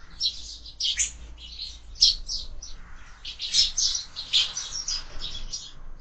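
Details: Sparrows at a feeder mounted on a window during breakfast, giving a busy run of short, high chirps and tweets in quick overlapping bursts, several birds calling together, with a faint low hum beneath.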